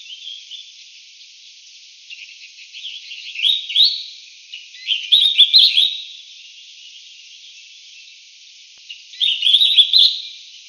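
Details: Collared finchbill of subspecies Spizixos semitorques cinereicapillus, giving three bursts of bright, chattering, slightly rising notes at around 2, 5 and 9.5 seconds, set against a steady high-pitched hiss.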